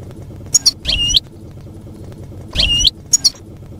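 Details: Field-style European goldfinch, used to teach juveniles to sing; sparse sharp tinkling calls, two pairs of quick high chips and two twisting upslurred notes, with a faint low hum between.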